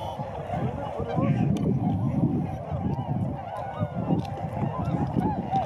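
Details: Tundra swans in flight at Sakata lagoon, Japan, 3 November 2018, a morning recording: a flock gives soft, overlapping honking and bugling calls, continuous and mid-pitched, over a low rumble of wind.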